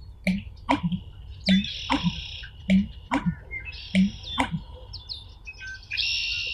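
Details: American bittern, a shy, well-camouflaged bird whose bizarre call sounds like someone swallowed a drum, giving deep gulping thumps repeated roughly every half second in loose pairs, while other birds sing busy, buzzy trills and whistles overhead.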